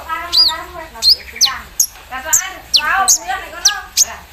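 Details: Javan sunbird sung in the morning after being set out in the dew, with an embroidery-machine style fill: sharp high clipped notes every half second alternating with rolling, wavering lower warbles.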